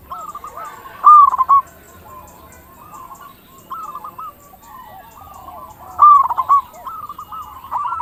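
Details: Local zebra dove in active song, used to lure other zebra doves into calling: two loud rippling coo phrases about five seconds apart, with softer cooing in between.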